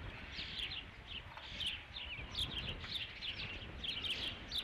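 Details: Osprey nest on Dunrovin Ranch, 3 July 2016, fifth fish of the day arriving. Shrill, wavering whistled chirps tumble out in quick series with brief pauses, over low-frequency hum.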